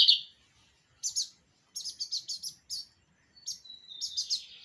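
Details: Pirata-style song from a kept bigodinho, the lined seedeater: an opening buzz, then clusters of quick high double chips and a thin sustained whistle before more trilled notes.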